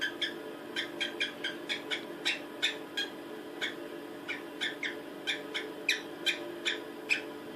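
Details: A female cockatiel in a mating mood, doing a courtship dance and asking for a male, gives rapid, repeated sharp chirps.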